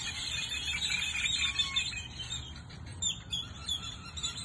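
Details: Many birds chirping together as the sun sets in Goodyear, Arizona; dense overlapping high twitters and short whistles form a continuous chorus, with a steady low rumble of background noise underneath.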